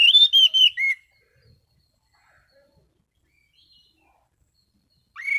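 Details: Orange-sided thrush singing relaxed, clear ngeplong style in prime condition: a loud whistled phrase of four rising-falling notes lasting about a second, then near silence before another phrase begins at the end.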